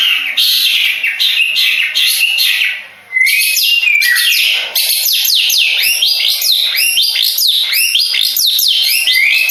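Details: Harsh buzzy bursts from a long-tailed shrike of Madura stock, a contest bird, pause briefly, then give way to a torrent of quick downslurred whistles and squeaky, rapidly varied notes ending in a rising whistle.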